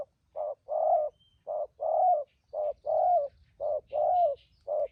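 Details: Spotted dove, a wild-caught decoy bird with the thúc gù urging coo: four evenly spaced pairs of a short coo and a longer slurred coo, about one pair per second, with faint distant bird calls.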